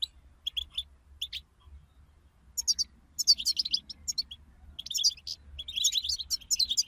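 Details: European goldfinches in a group chirping recording meant to stir other goldfinches into song: bright high tinkling twitters in short bursts, sparse at first, then denser, overlapping chatter in the second half.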